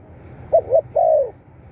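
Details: One phrase of a spotted dove, for stimulating kept doves: two brief wavering hoots then a longer, slightly falling coo, low and mellow.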